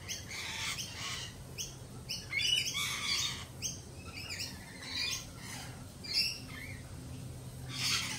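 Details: Harsh, raspy lorikeet squawks from birds left jittery by a peregrine falcon attack earlier that week, overlapping in irregular bursts from a noisy flock, with a low background hum throughout.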